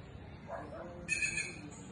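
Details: Inca jay in rural countryside: a single harsh, raspy call lasting about half a second after a quiet start, set against a constant low background hum.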